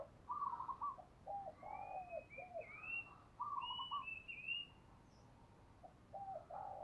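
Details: Spotted dove decoy bird cooing to lure wild doves: soft, mid-pitched hooted phrases in short bursts. A thin higher whistled bird call runs above them over a hissy background.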